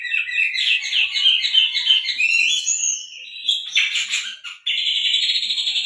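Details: Oriental magpie-robin delivering canary-style song meant to trigger singing in other birds: quick tumbling chirps and warbles, a rising sweep, a burst of scratchy notes, a short gap, then a sustained rapid high trill.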